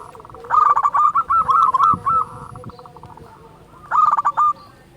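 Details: Loud local zebra dove, or perkutut, as a lure for other doves, sings a long running series of quick coos followed by a shorter burst about two seconds later, low thumps faintly behind.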